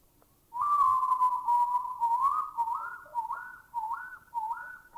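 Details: Oriental bay owl giving a long, wavering whistle, then a run of eerie slurred whistles that rise and dip, about two a second; recorded in a Thai national park.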